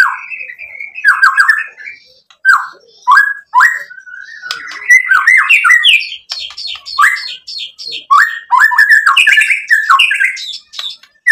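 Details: White-rumped shama song used to provoke other shamas: long, richly varied sequence of quick slurred whistles, ticks and chattering notes with brief pauses throughout.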